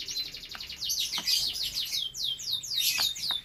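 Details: Bred canary singing a rapid, rolling song: fast repeated high notes run into a string of descending swept whistles, about four per second, loud and continuous.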